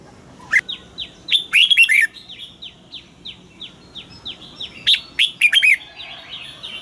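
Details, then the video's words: Red-whiskered bulbul song for morning training of caged birds, mature wild double-note style: two bright warbled phrases, over a steady series of repeated short descending chips from another bird. "Luyện giọng cho chào mào hót sáng, ép chào mào hót âm kép già rừng hay tuyệt!"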